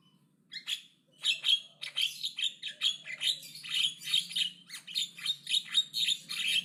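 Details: Loud, aggressive Javan myna song: a sustained, fast stream of harsh, scratchy, buzzy chatter notes, roughly three per second, continuing for over five seconds without a break.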